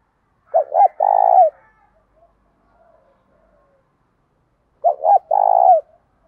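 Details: Spotted dove cooing in the thổ pha and hạp bổi voice styles, played to draw rivals quickly into a fight: two low cooing phrases, each two short rising notes then a long purring coo ending in a falling tail, about four seconds apart.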